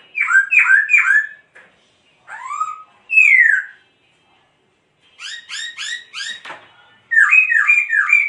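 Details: Loud, bright laughingthrush song delivered while the bird dances: fast bursts of slurred whistles in groups of three to five, separated by silent gaps, with one long rising sweep in the middle.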